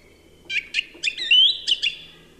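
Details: Quick sequence from a song thrush: several short chirps, a sustained whistled note rising slightly, then two more brisk chirps, all loud and close.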